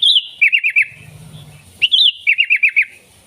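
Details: Sooty-headed bulbul song played to call in wild bulbuls: a high wavering opening note followed by a quick run of four or five bouncing whistled notes, given twice.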